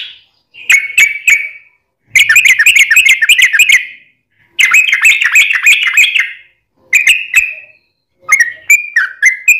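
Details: Yellow-vented bulbul song used as a lure to set other birds singing: short whistles and dense bubbly chattering bursts, ending in quick descending whistled notes.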